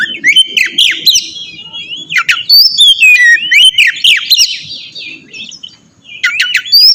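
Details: Oriental magpie-robin lure song meant to make another bird reply: loud, varied whistled phrases sliding up and down, interspersed with sharp clicking chirps, delivered in rapid bursts with a brief pause near the end.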